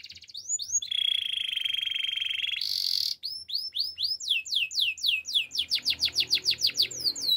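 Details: Canary song used for training: a few curved whistles, a long even trill, a harsh buzzy burst, then quickening series of looping descending notes.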